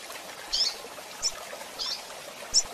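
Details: Double-collared seedeater: four brief, thin, high chirps at uneven intervals of about two-thirds of a second over a faint hiss. These are female calls, used in handling birds.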